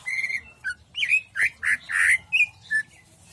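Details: Jamstrok-style song of a greater green leafbird: a held whistle followed by loud, harsh rasping notes and short slurred chirps, irregularly spaced.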